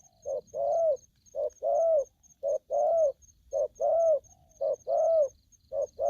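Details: Aggressive young spotted dove, wild-caught, repeats deep soft coos in a clear short-long pattern, each long note slightly rising and falling, about once a second, over a faint thin ticking.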